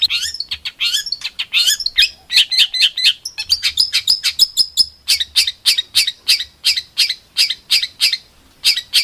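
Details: Songbird song used as a training recording for competition birds, described as rough rapid bursts; a tumble of varied high chirps gives way to a steady string of sharp, short piercing notes, about three each second.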